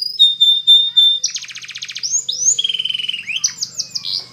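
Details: Canary singing for training: pure steady whistled notes, then a dense rapid buzzing rattle, a chain of slurred rising and falling whistles, and fast tinkling trills ending in quick downward sweeps; quiet background.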